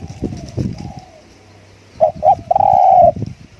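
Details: Spotted dove decoy song: low rustling and thumps, then two short hoots and a long level coo with a rapid stuttered onset, followed by more low rustling.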